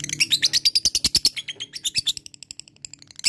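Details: Rapid ngekek chatter of a lovebird, played to prompt lazy birds to sing: about twenty loud harsh pulses in quick succession, tailing off into soft ticking before a final burst.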